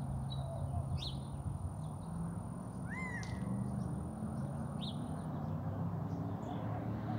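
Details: Male Gambel's quail on a rooftop, May 23, 2024, uttering one strong rise-and-fall call around three seconds in, with harmonics above it; brief sharp chirps of other birds come before and after, over a persistent low hum.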